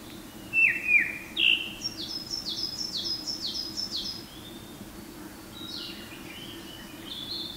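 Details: On Mount Garyu in Hiroshima, a male Japanese thrush sings at sunrise in forest, 23 May 2019: two or three bold whistled notes followed by a fast string of high, sharp downslurred notes and softer twitters; coal tits and narcissus flycatchers also call nearby.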